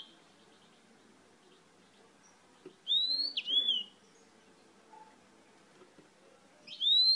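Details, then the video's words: Yellow-fronted canary from Spain: a pair of clear, high whistled notes sliding up and down, a long quiet gap, then another rising whistle near the end. "CANÁRIO-DE-MOÇAMBIQUE DIRETO DA ESPANHA CANTANDO MUITO"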